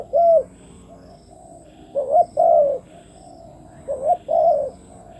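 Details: Spotted dove used as a decoy to draw in wild doves, calling in spaced phrases of a rising note and a longer wavering coo, roughly every two seconds.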